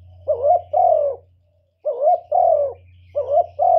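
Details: Spotted dove kept as a lure bird, cooing to draw in other doves: loud, low, hollow coos, each phrase a short double note then a longer falling coo. Three phrases come about every 1.4 seconds over a faint low hum.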